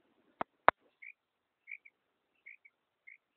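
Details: Female common quail calling: soft, short chirping notes, some paired, repeated at irregular intervals about every half second to second, preceded by two sharp loud clicks, otherwise quiet background.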